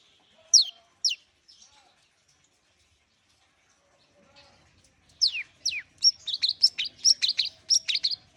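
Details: Long-tailed shrike warming up: two sharp downslurred whistles near the start, a long pause with faint soft notes, then a fast burst of harsh, chattering high notes through the final seconds.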